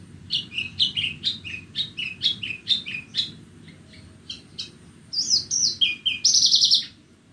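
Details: Bornean Horsfield's bush lark singing on a bright morning: a rapid series of short sliding chirps about three per second, a quieter pause, then clear whistled slurs and a buzzy burst, with low humming behind.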